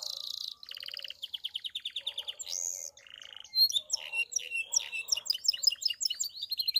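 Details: Pied Belgian canary giving campainha, or bell, song to encourage other canaries and females: a loud buzzy opening, a rhythmic pulsed trill, a high whistled slur and a lower buzz, then fast tumbling high chirps.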